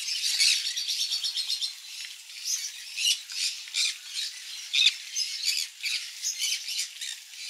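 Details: Conures feeding on mealworm egg food: a quick run of repeated high chirps opens, then scratchy squawks burst out about once a second among overlapping birds.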